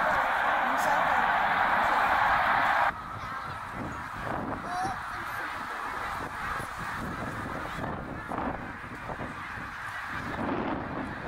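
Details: Snow geese massing by the tens of thousands during migration at Middle Creek, Pennsylvania, 2023. A dense roar of overlapping honks fills the first three seconds, then drops abruptly to a quieter, more distant chorus with scattered individual calls.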